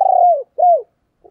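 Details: Female spotted dove in a native field-style voice, a lure for wild males: two smooth, low coos, each swelling then sliding downward, followed by a tiny faint note.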